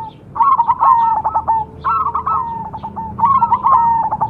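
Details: Three rhythmic song phrases from a Cemani zebra dove: bursts of clipped, bouncing notes trailing off into a soft tremulous coo, separated by short pauses.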